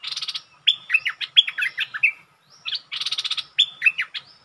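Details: Bulbul challenging a resident territory holder with song: buzzy chatter bursts alternating with clear whistled notes that slide downward, phrases repeated twice with a short gap between them.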